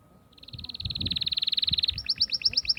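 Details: Atlantic canary song used to stimulate hens for mating: a steadily building, rapid even trill of identical notes lasting over a second, switching abruptly to higher, sharper repeated chirps.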